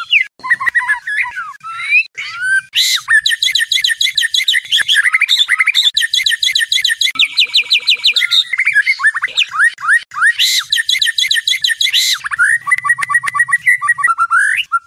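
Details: White-rumped shama night song for training competition birds: a long, rich, continuous medley of rapid whistles, harsh buzzy bursts and fast trills, loud and varied, with brief low rumbles beneath.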